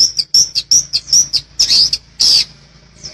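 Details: Long-tailed shrike, recorded to train other birds in the vigorous rol rapat ngeplong style: quick high scratchy notes in a rolling series, ending with two longer rasping bursts over a faint background hiss.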